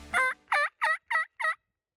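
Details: Merriam's wild turkey tom gobbling back at sunset on the north rim of the Grand Canyon, desert country; five rapid, harmonically rich rattling notes spaced about a third of a second apart, then silence.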